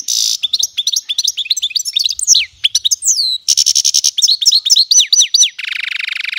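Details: Song of a goldfinch mule, a goldfinch–canary cross, heard with a goldfinch: bright twittering runs, rapid buzzy trills and down-slurred whistles, ending in a harsh sustained buzzing note.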